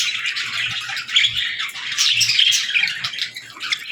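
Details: Continuous busy chatter from baby budgies and lovebirds during feeding time: bright, rapid chirps and squeaks packed closely together, with no real pause.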